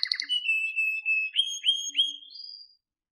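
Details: Canary song: a brief burst of clipped notes, then a steady sustained whistle broken by several sharp upward-curling notes, fading out near the end.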